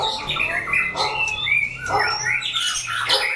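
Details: Caged white-rumped shamas sing during a fighting test in a crowded aviary. Rich whistled phrases overlap, with rising and falling notes and sharp bursts, several birds singing at once over a low room hum.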